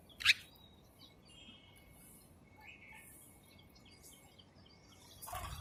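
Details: Sparrows feeding and chirping: one loud, sharp chirp opens, followed by faint scattered high twitters over a steady hiss, and a noisy rustling burst at the end.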